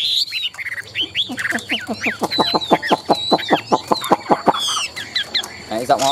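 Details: Caged Chinese hwamei, a tame, big-bodied contest singer, delivering a fast run of about fifteen sharp, downward-sweeping notes, then higher chattering trills, with light background noise.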